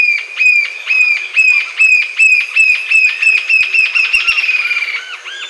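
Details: Green-tailed jacamar giving a series of clear, high, slurred notes, at first spaced about half a second apart, then quickening into a faster run, with a few lower slurred notes at the end.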